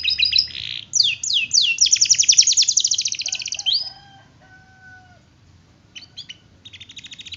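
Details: Canary song in the long roll manner: fast descending chirp series and a dense trill, then slower low whistled notes, a near-silent pause, and soft renewed chirping.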